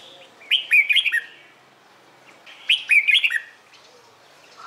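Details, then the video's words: Morning song of a red-whiskered bulbul, played to coax newly caught birds into singing. Two brisk phrases, each a tumble of four or five clear, slurred whistles, come about two seconds apart with quiet between. "CHÀO MÀO HÓT BUỔI SÁNG"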